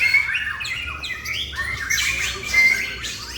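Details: Male white-rumped shama, Indonesia, pouring out high, loud, squeaky whistles and downward slurred notes in a dense, excited run, with a person talking nearby.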